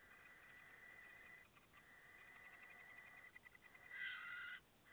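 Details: Five late-hatched barn owl chicks, August 2017, giving overlapping, breathy hissing wheezes, nearly continuous with brief pauses, swelling into a louder, harsher rasp toward the end.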